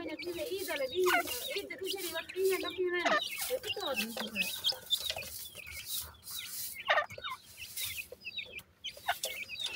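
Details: Captive francolin (teetar) chicks fighting with their mother after feeding. Many thin, high peeps bend up and down and overlap throughout, over low, steady hooting tones for the first four seconds. Bursts of handling noise are heard.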